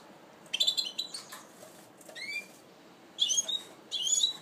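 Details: Goldfinch mule, first moult, 2012, giving short bursts of high twittered notes and one rising, slurred whistle, separated by brief pauses in an otherwise quiet setting.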